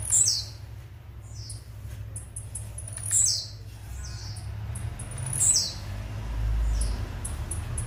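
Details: Blue-black grassquit giving its metralha song: three quick high notes that drop in pitch, spaced two to three seconds apart, with a low hum underneath.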